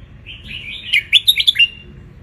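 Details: Red-whiskered bulbul from the wild in Ratchaburi, Thailand, basking in sunlight as a tutor for young birds: a gliding soft lead-in followed by five or six rapid bright chirpy whistles.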